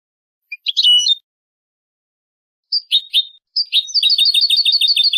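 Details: Clean song of European goldfinch, recorded in 2015 for tutoring young birds: scattered twittering notes and a pause, then a fast, even trill of bright, high double notes that runs to the end.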